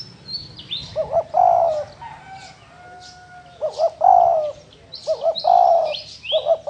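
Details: Spotted dove, field-dwelling kind, repeating its coo: bouncy short notes building into a sustained, descending main note, several phrases in a row, with thin high whistles and chirps of other small birds overhead.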